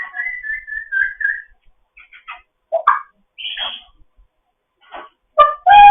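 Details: Foster grey parrot's morning chatter: a long wavering whistled phrase, then clicks, short squawks, a rasping note and a final sharp tonal call.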